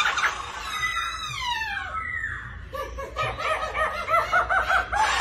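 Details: Black-throated laughingthrush male excited by the female's 'ro ro' call: long descending whistled slides over a hissy background, followed by rapid chuckling notes.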